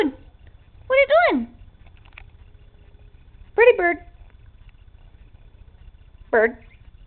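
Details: Indoor pet male Quaker parrot playing silly and shy, uttering three short harmonic word-like calls spaced a few seconds apart, each sweeping up then down, in a quiet room.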